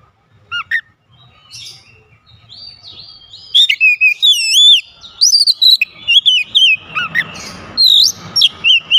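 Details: Kacer, or Oriental magpie-robin, in full song full of fill phrases that prompt other kacer to join in. Two short whistles come first, then after a pause a dense run of sharp, sweeping whistled notes rising and falling, with a rough burst partway through.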